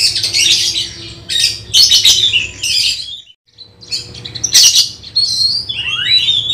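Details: Oriental magpie-robin getting ready for a songbird contest, giving harsh raspy bursts and chatter, a short silent gap, then more rasps and a clear rising whistle at the end.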